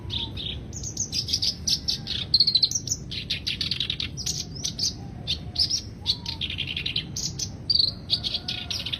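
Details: Long, busy song of a black-browed reed warbler: dense bursts of high, harsh chattering and clicking notes in quick succession, with a few faint lower whistles underneath.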